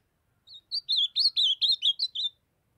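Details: Juvenile azulão, the ultramarine grosbeak of northeastern Brazil, still in brownish plumage, delivering one quick phrase of roughly ten sweet slurred whistles, opening with a soft introductory note and falling toward the end, on a quiet clean background.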